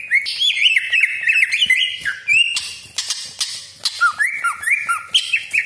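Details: Greater green leafbird (cucak ijo) singing in the sharp 'tembakan' style, used as a lure to provoke other leafbirds: varied whistled phrases with quick upward and downward sweeps, harsh buzzy bursts and short pauses.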